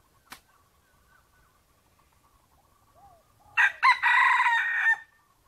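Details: A red junglefowl gives one loud, clipped crow of about a second and a half, rough and harmonic, after a faint steady thin tone and a single click, while luring wild junglefowl.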